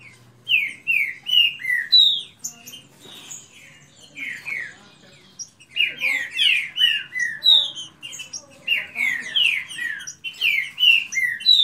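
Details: Kept green-winged saltators in a rapid song duel: loud, rich whistled phrases of slurred, mostly falling notes, poured out rapidly with short pauses, as two birds sing against each other.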